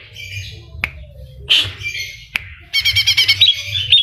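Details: Energetic greater green leafbird song packed with copied kapas tembak and cililin phrases: scattered sharp chips and a loud whistled burst, then a rapid pulsing trill of bright repeated notes, with a steady low background hum.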